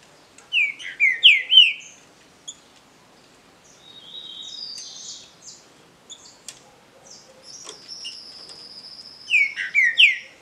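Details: Green-winged saltator singing in a contest between legally bred native birds, two phrases of clear downslurred whistles several seconds apart, with softer high twittering and a long thin whistle in between.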